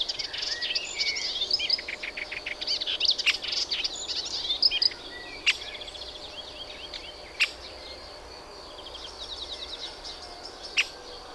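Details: Melodious warbler in full babbling song for several seconds, a fast varied chatter, then breaking off into near silence with only a few isolated clicks.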